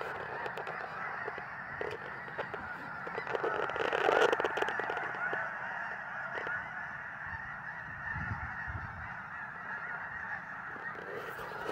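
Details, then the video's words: Snow geese calling as a flock: a thick wash of overlapping honking, with a louder surge of nearer calls around the middle before it settles back to a steady clamor. "Flock of snow geese"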